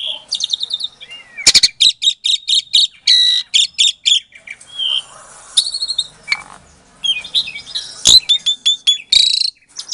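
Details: Asian pied starling, captive-bred at a breeding farm in Klaten, Indonesia, February 2022, singing a lure song meant to provoke silent starlings into answering: rapid varied phrases of clear whistles, buzzy stuttered notes and sharp harsh bursts, with short pauses between.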